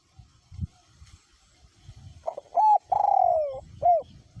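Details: Spotted dove kept as a decoy bird with a small-to-medium voice, cooing in strong wind: after bursts of low rumble, one phrase of short clipped notes, a long falling coo, then a brief final hoot.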